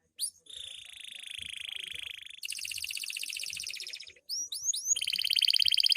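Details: Canary of the loper type singing hard at night: a long steady whistled tone, then a dense buzzing trill, a few sharp rising chirps, and another fast rattling trill building louder.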